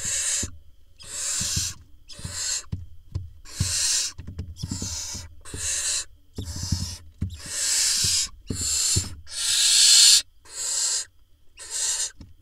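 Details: Barn owl nestlings in a nest box camera in Israel, 18 June 2021, during a vole delivery by the father: about a dozen harsh hissing screeches of varying length in steady succession, with clicks and scratching movement between them.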